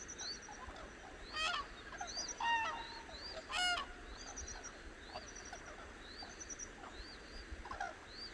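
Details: Several cranes, awake at dawn on the Hantan River in central Korea's Cheorwon, trade strong, buzzy trumpeting calls roughly once a second, layered with repeated high, rising chirps of other birds.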